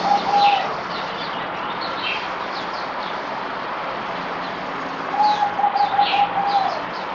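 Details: Zebra dove (merbok), kept bird on its fourth day of deworming, recorded 17 April 2020: two bursts of rapid beaded cooing notes on one low pitch, with faint higher chirps from other birds and steady background hiss.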